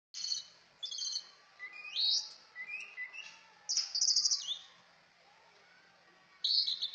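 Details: Cucak ijo (greater green leafbird) song: bright, varied whistled phrases with fast slurred notes and sharp chirps, delivered in bursts separated by short pauses, some phrases rising then falling, no other clear sounds.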